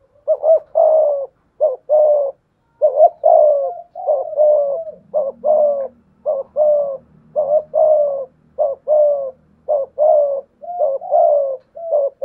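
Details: Decoy spotted dove with a 'thổ pha thúc' voice cooing ('gù') against a wild dove. A long run of low, throaty paired coos repeats nearly once a second. A faint low hum runs underneath midway.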